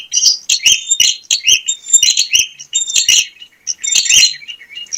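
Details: Bar-winged prinia in full, lively song used to lure other prinias: dense high chirps and tinny whistled notes tumbling in quick clusters, roughly one burst per second, with no other sounds.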